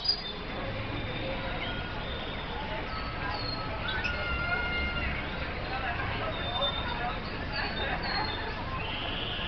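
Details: A kept F1 red siskin sings thin, high whistles and brief twittering trills, scattered across the clip, over a steady low murmur that may include faint voices.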